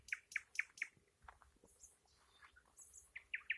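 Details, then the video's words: A nightingale sings four loud, evenly spaced, ringing notes, then quieter scattered chirps and a soft buzzy passage, ending with three more loud, ringing notes. "Ласкающая слух песня соловья"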